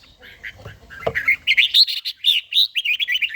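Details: A red-whiskered bulbul sings in the morning during daily song training. Soft muffled sounds open the clip, then a fast series of clear, bouncy whistled notes follows, about three per second.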